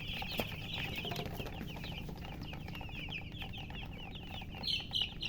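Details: Just-born chicken chicks peeping loudly, a rapid run of short high chirps repeating several times a second, with a couple of sharper, louder peeps near the end over steady low rumble.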